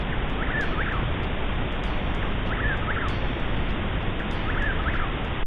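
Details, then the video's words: A Chuck-will's-widow, heard in spring in Oklahoma during night prairie mole cricket surveys, repeats its quick three-part whistled phrase, named for sounding like "chuck-will's-widow", about every two seconds, half-buried under a steady rain-like roar. "this is the call of the bird known as the Chuck Will's Widow"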